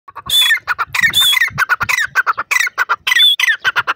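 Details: Grey francolin, known in Hindi as bhura teetar or titer, giving loud, harsh, squawking notes in rapid bursts. The bursts overlap into a dense, ringing chatter with strong upper harmonics and a few clearer whistled peaks.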